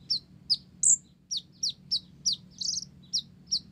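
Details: Olive-backed sunbird (blorok) in full gacor song with Java sparrow (gelatik) fill: high, clipped chirps repeated about every third of a second, one brighter squeaky note and a brief buzzy rasp among them, over a low steady hum.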